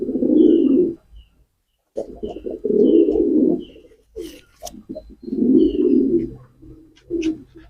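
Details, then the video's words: Pigeon cooing in loud, deep, throaty phrases about a second long, repeated after short gaps, with a few soft clicks and faint high chirps between phrases. "pigeon call and sound effect,কবুতরের ডাক।"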